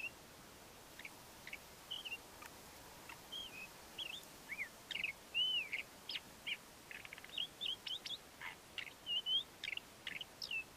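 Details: Male Ant-eating Chat singing his courtship song: short whistled phrases, some rising and some falling or looped, given in irregular bursts at about one per half second, mixed with sharp clicks over a quiet, steady hiss.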